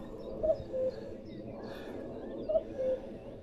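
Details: At Knepp Estate, a 3,500-acre rewilding project where this fast-declining bird is doing well, a common cuckoo gives its soft two-note 'cuck-oo', the second note lower, repeated about every two seconds over a steady outdoor hum.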